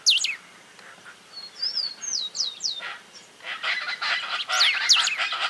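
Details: Chaco chachalacas (charatas) in Córdoba, Argentina, in 2022, whose powerful shrieks were heard from the car throughout the trip, give harsh, raucous bursts in rough rhythmic runs. High, thin whistled slurs from another bird sound between and over them.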